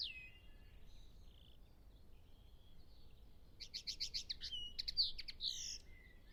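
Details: European pied flycatcher recorded while nesting and feeding its two young, giving a quick phrase of high, sweet notes that speed up and end in a twittering flourish, with other birds distant and a low background rumble.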